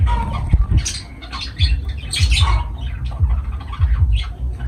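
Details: Pet lovebirds give harsh, scratchy squawks in short bursts, with rough chatter running through the clip over a steady low rumble.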